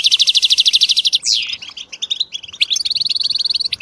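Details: European goldfinches in group song intended to encourage silent males to sing, with mating calls; opens with a rapid evenly pulsed trill about twenty notes long, a sharp downslurred note, then scattered chirps and a high buzzy trill.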